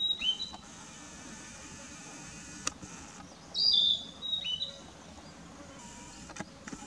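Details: Narcissus flycatcher singing in Mukaiyama Park, Esashi, Oshu, Japan, on 12 May 2017, filmed with a Nikon COOLPIX P900; brief high whistled notes in short phrases separated by pauses, with a few clicks and a quiet background.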